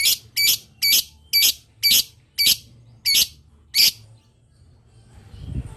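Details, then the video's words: Lovebird's long chatter meant to set other lovebirds calling back: eight harsh, buzzy, high notes at about two per second, then silence with a low rumble. "Suara burung Lovebird Ngetik Panjang Bikin Lovebird Dimana Saja Auto Nyaut"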